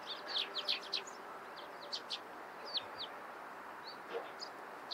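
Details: Eurasian tree sparrows chirping in the morning, a dense flurry of high tweets at the start thinning to spaced single and paired chirps, over steady background noise.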